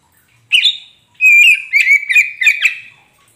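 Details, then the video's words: Oriental magpie-robin, local type kacer poci, sung as a lure for a bird that has gone quiet: an upslurred whistle, a pause, then a long whistle followed by four quick chirping, sliding notes. "Pancingan untuk Kacer poci macet bunyi pasti nyaut"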